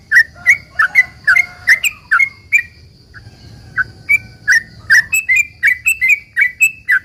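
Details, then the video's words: Sooty-headed bulbul in long rapid 'ropel panjang' song, used as a lure to make other bulbuls answer: bright bubbly chirps repeated about three times a second, with a short quieter pause midway and a steady faint high hum behind. "trucukan gacor ROPEL PANJANG ini buat pancingan trucukan agar bunyi"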